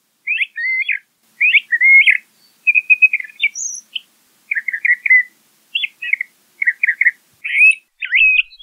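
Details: Song of a LeConte's thrasher, a steady run of varied short phrases: slurred whistles, quick doubled chirps and a brief trill, each phrase repeated or changed after short gaps, clear and close.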